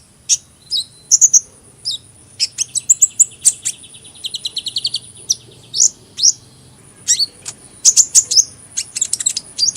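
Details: Long sunbird chattering passage: scattered sharp high chirps, a fast buzzy trill in the middle, then bursts of quick twittering notes, all very high and bright.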